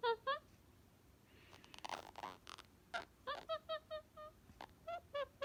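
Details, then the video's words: Pet male Indian ringneck parakeet laughing when given a hat: two short harmonic 'ha' syllables, a stretch of soft broadband rustling, then a run of about ten clipped, evenly spaced laughing notes with a few slurred upward inflections. "Funny Laughing Parrot!"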